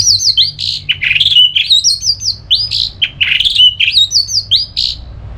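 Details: Orange-headed thrush in ngeplong style, sung to stir other birds into replying: continuous rich, fast warbling of bright down-slurred whistles and buzzy flourishes, phrases tumbling into one another, with a faint low hum beneath.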